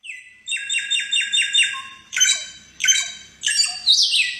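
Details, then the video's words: White-rumped shama singing in the wild, clear voice: a fast series of repeated whistled notes near the start, then several rich, varied phrases roughly every half second, each with upward sweeps and buzzy overtones. "Masteran burung Samyong di alam liar suara jernih"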